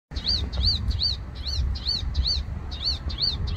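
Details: Palestine sunbird (Cinnyris osea), call.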